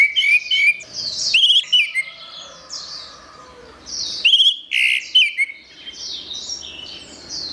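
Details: Gacor song of an orange-headed thrush. Ringing whistles and sharp trilled chips form busy phrases, with brief pauses and a constant faint high chatter behind.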